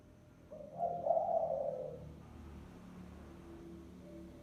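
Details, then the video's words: Spotted dove giving a decoy lure call: one soft, low cooing phrase that swells and then fades over about a second and a half. A quiet hum is under it, and the rest is near silence. "TIẾNG CHIM CU GÁY MỒI CHUẨN"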